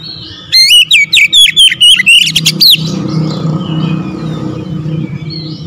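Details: Oriental magpie-robin, a kept bird said to be reluctant to sing, delivers a short burst of loud, quick whistled notes that stops abruptly, followed by steady low traffic rumble and faint background chirps.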